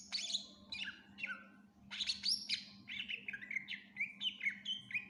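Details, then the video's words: Full mimicry-rich song of a greater green leafbird, recorded as tutor material for other songbirds: high descending slurs, a loud sweeping phrase, then a chain of quick warbled whistles roughly every quarter second, with a low steady hum. "Cucak Ijo gacor FULL Isian cocok buat masteran burung læn"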